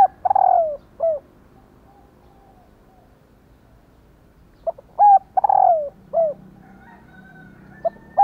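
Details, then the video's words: Calling female spotted dove used to set males cooing: two phrases several seconds apart, each a clipped note then a long falling coo and a short last note, with a faint low hum between. "Tiếng Cu Mái/ cu mái kêu kích chim cu gáy trống gáy theo"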